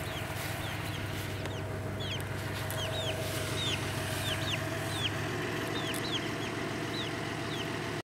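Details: Several baby chicks that follow their owner like a mother hen keep up a stream of high, falling peeps, roughly three per second, over a persistent low-pitched humming background.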